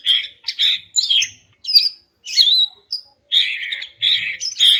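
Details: Female greater green leafbird call used to stir silent males into song: a lively series of scratchy chirps, short clear whistles and slurred warbles, in bursts separated by brief pauses.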